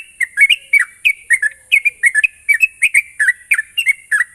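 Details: Sooty-headed bulbul song used as a lure to make a bird sing: fast repeated bubbly whistled phrases, rising and falling notes about three per second, with a steady high hiss behind.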